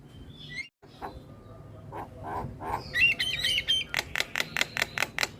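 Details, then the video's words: Lure song to draw starlings and make idle ones sing: soft low notes at first, then a brief whistled phrase and an accelerating series of sharp harsh clicks and chatters. "Pancingan Segala Jenis Burung Jalak - Jalak Malas Bunyi / Jalak Pikatan Auto Nyaut"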